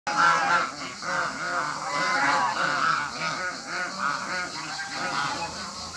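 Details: African geese in a backyard with other waterbirds, giving a dense, continuous chorus of nasal, harmonic honks that overlap and repeat several times a second with no gaps.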